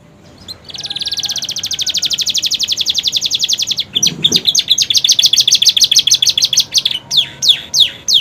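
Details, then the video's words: Romeo canary in new plumage singing a long phrase filled with prenjak and ciblek imitations: a swelling, very fast buzzy trill lasting seconds, then sharper high chirps and falling whistles. "kenari romeo gacor isian prenjak ciblek durasi masuk"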